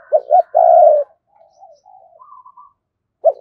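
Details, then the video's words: Spotted dove calling to draw in wild doves: two short coos and a sustained low coo, then faint murmuring notes, and a fresh coo starting at the end. "Chim cu gáy Cườm Sa thúc gù gáy gọi đủ bài. chim cu gáy kích bổi nhanh nổi"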